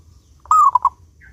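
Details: A single song phrase from a local zebra dove with a clear voice, played to coax other doves into singing: a drawn-out cooing note falling into two short, punchy coos.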